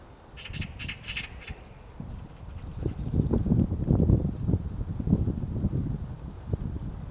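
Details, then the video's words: Dull, uneven pecking thuds from a White-backed woodpecker excavating its nest in a tree, Gongsanseong Fortress, Gongju, South Korea, late March morning; three crisp clicks open the sequence, then heavier irregular knocking builds. "둥지를 파는 큰오색딱다구리 White-backed woodpecker digging a nest"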